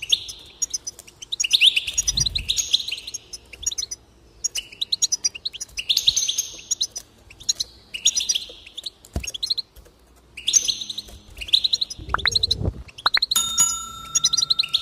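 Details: Goldfinch singing, played to get goldfinches singing: long series of buzzy, twittering phrases with brief gaps, a couple of low bumps, and a short electronic-sounding tone near the end.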